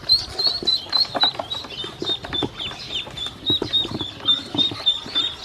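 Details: Domestic ducklings, hungry, taken to eat feed and drink water. Shrill peeping from several chicks runs steadily, quick repeated notes roughly three or four per second, with soft shuffling and pecking noises underneath.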